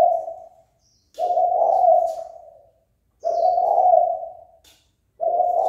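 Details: Spotted dove giving its fight-provoking call: long, throaty coos that rise and fade, about two seconds apart, with brief thin chirps from other birds faintly heard.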